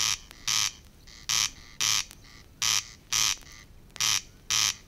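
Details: Corncrake recorded in the water-meadows and coastal pastures of Matsalu, USSR, 1979: dry, rasping, buzzy bursts delivered in paired crex-crex phrases, repeating steadily about twice a second.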